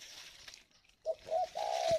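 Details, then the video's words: Spotted dove kept in Ba Vì, Hanoi, northern Vietnam, giving 'gáy gọi hậu' cooing: a brief low note, then a longer mellow coo drawn out at the end, over faint hiss. "Gáy gọi Hậu 1"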